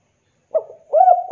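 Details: Javanese spotted dove used as a calling lure: a short soft coo followed by a longer mellow rolling note, sharply clipped at the end.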